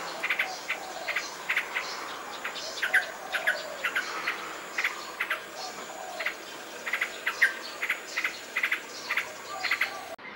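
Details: Yellow-vented bulbul (Pycnonotus goiavier) song: short, bubbly chirps in quick uneven bursts, several a second, over a steady high insect hum.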